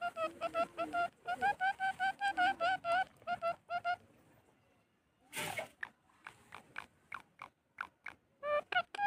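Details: Talking parrot producing a rapid run of wavering, voice-like harmonic syllables, about two or three per second, for four seconds. After a pause and a sharp burst, shorter clipped syllables follow at a similar pace.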